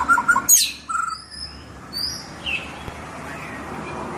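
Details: White-rumped shama song fragment: quick loud chirps and a harsh note opening, then thin high whistles and a soft slurred note fading into background hiss.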